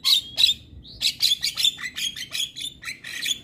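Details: Black-winged myna singing in a morning training recording for mynas; harsh, rasping bursts alternate with whistled notes about four times a second, loud and clear over a quiet background.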